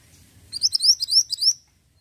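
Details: Lure song of an ashy tailorbird meant to set others singing: after a short quiet start, a fast run of about seven sharp, high-pitched rising notes lasting one second, then silence.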